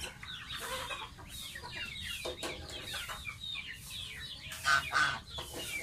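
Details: Pet baby goose in its bath, uttering quick high peeps in irregular runs, a few louder clear whistled notes near the end, against splashing water.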